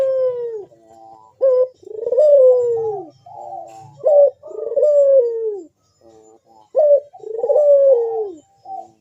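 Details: Puter dove singing gacor in the big, sharp bekur style as a lure call: a short accented note followed by a long, gently falling coo, the phrase returning about every two to three seconds, clear and loud.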